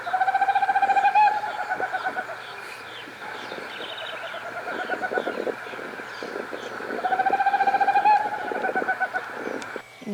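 An owl gives a fast, quavering trill twice, each a steady tremolo lasting about a second.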